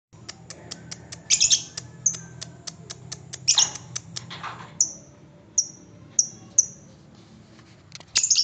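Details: Lovebird sound played to draw caged lovebirds into trilling: rapid dry ticking clicks like typing, broken by loud harsh high squawks and short sharp chirps, with a low hum underneath.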